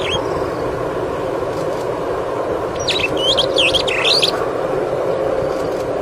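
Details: A superb starling on a bird webcam. A quick burst of squeaky, sharply rising and falling chirps lasts about a second and a half, over a loud constant rushing background noise.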